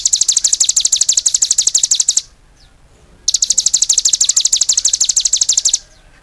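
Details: Cigun singing vigorously in two long, steady bursts of rapid, piercing chirps, each lasting a couple of seconds, with a brief quiet gap between them.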